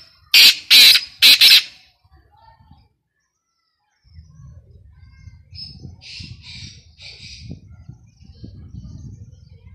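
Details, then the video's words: A black francolin calling, used for hunting, gives four loud, harsh, grating notes in quick succession, then fainter scratchy notes over a low background rumble. "Titer ki best awaz, Kala titer, black francolin calling"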